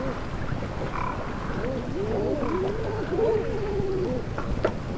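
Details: King eiders at Marstrand, Bohuslän, Sweden, on 28 March 2010, giving low, wavering, cooing calls that rise and fall in soft overlapping phrases, with a steady low rumble of background noise.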